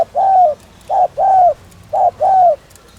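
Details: Spotted dove coo used to stimulate other doves; two close, loud pairs of low mellow notes, a short coo then a long smooth falling one, repeated about once a second.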